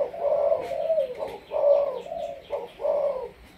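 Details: 'Sấm thổ' Malaysian spotted dove used for decoy training, uttering throaty drawn-out coos, four swelling notes in close sequence, faint twittering behind.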